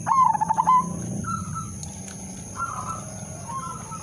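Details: Zebra dove of the udanmas silver type singing a lure song to make other doves sing: one quick pulsed cooing phrase at the start, followed by faint distant coos and background noise with a steady high whine.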